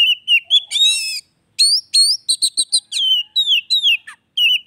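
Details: Oriental magpie-robin singing to stir a silent bird back into song: varied clear whistles, rising and falling slurs, a harsh raspy burst and quick stuttered notes delivered almost without pause.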